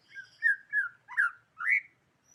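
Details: Medan-type white-rumped shama song: five rich whistled phrases, some slurred downward, others swooping upward, spaced about every third of a second apart, in a quiet setting.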